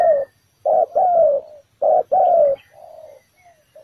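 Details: Ground-decoy spotted dove calling at a trap in bổi thổ style: two short-long coo pairs, the longer notes sliding slightly downward, then a softer trailing coo.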